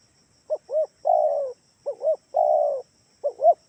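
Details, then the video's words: Spotted dove of Kalimantan used as a calling lure for other doves: soft double coo then long slightly falling coo, repeated three times, no other sounds. "gunakan suara tekukur ini || di jamin pasti yg di rumah ikutan bunyi"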